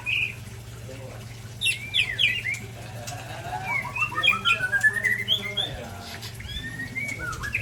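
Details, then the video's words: White-rumped shama from Ujong Pancu sparring against a Tangse shama: varied whistles and sharp chips, a fast stream of notes around four per second in the middle, some harsh squawky calls, constant low hum behind. "Murai Ujong Pancu sparing dengan Murai Tangse"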